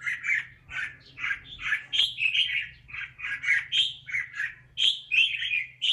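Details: One gifted red-whiskered bulbul sings a continuous run of bright, bubbling whistled phrases, rapid and varied, with short high sharp notes mixed in. A soft low hum runs beneath the song.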